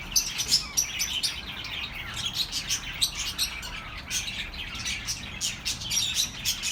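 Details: Lively flock chatter played for lonely pet birds: crisp high tweets repeated in quick succession, regular louder chirps across the whole stretch over a steady twittering background.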